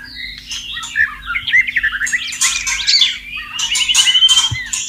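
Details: Free-living white-rumped shama near flowing water gives a rapid jumble of twisting whistles and chattering notes, ending in a thin rising trill.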